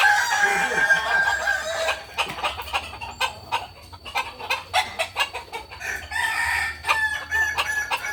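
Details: Kukuak Balenggek fowl at a Sunday practice gathering in Ampang Kualo: a sustained harmonic crow for about two seconds, then a run of sharp, evenly spaced claps or taps and a brief later crow.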